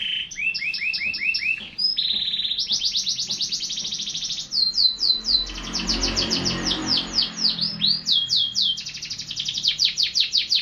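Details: Canary in continuous song: rapid repeated trill phrases, some rising and some falling sweeps, shifting between tour types every second or two, with a brief low rumbling background noise in the middle.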